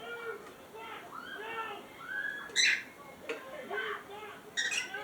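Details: Cockatiels playing in a box: soft warbling, whistled chatter with gliding notes, punctuated by a few louder scratchy bursts, near-continuous through the recording.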